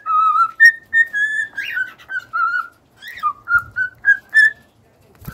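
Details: Cockatiels singing a string of short whistled notes, about three per second, stepping up and down in pitch with a brief gap midway.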